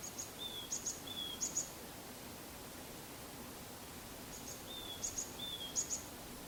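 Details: Varied tit heard calling from high up above hill country on 28 February 2015, unseen, recorded on a Canon PowerShot SX60 HS; thin sliding whistles followed by paired sharp high notes, given in two separate bursts with a quiet pause between.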